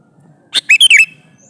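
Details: Male sooty-headed bulbul calling to a female: a brief, bright phrase of a sharp note followed by three quick, liquid, warbling whistles, over a faint low hum.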